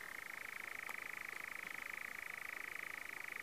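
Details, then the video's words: A European nightjar churring in the New Forest, UK, on 6 June 2018, in one unbroken, rapid mechanical trill, steady in pitch and running without pause from start to finish. "Nightjar Churring"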